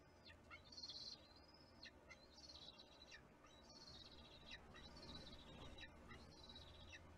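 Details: Bald eagle filmed on a nest camera in Kisatchie National Forest on 6 April 2022, upset when another eagle ate the fish. A series of high, thin, whistled calls that each slur downward, repeated about once a second over steady background hiss.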